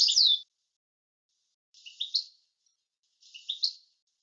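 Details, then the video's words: Goldfinch phrases recorded clean for teaching song: a sharp descending twittered note, then two soft, matching short rising chirp groups about one and a half seconds apart. "تسجيل صوت حسون لغة معتمدة للتعليم تسجيل صافي وبدون أخطاء"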